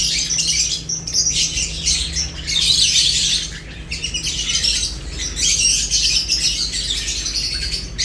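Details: Eating lovebirds give a busy stream of sharp, thin chirps and squawky notes, several birds overlapping, with a short quieter gap near the middle and a low hum throughout.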